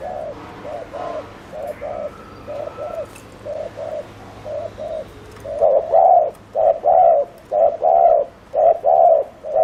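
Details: Rapid 'gù tốc độ' cooing of a spotted dove used as a lure bird for wild doves; soft paired coos about once a second, growing much louder and fuller in the second half.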